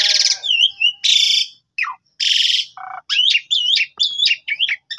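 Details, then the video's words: Javan pied starling song used as a lure to make a sulking bird reply: harsh buzzy bursts alternate with looping whistled notes and a low nasal note, delivered in quick separate phrases. "Pancingan Jalak Suren Gacor Full Isian Jalak Suren Pundung Seketika Nyaut Gacor"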